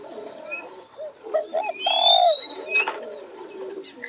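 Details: Low coo from a spotted dove near newly opened roses: short hoots, then one loud drawn-out coo. Faint background cooing and high whistled notes from other birds are heard.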